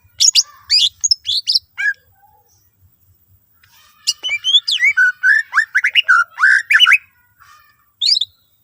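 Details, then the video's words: Greater green leafbird in full song, rich with varied fill-in phrases, used as a lure to get other green leafbirds singing. Quick swooping whistles and chirps come in two bursts separated by a quiet pause, with sharp high notes between. "cucak ijo gacor full isian mewah sangat ampuh pancing c ijo lain agar ikutan rajin bunyi"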